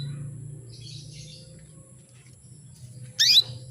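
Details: Female canary calling to stir males into breeding mood and eager song: soft buzzy twittering early on, then a single loud, abrupt, downward-sweeping chirp near the end, with steady low hum beneath.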